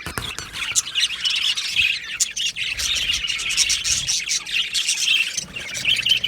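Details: Australian budgerigars in an aviary colony, happily singing and chirping: a dense chatter of high warbles and quick chirps runs throughout, with sharper squawk-like notes standing out now and then.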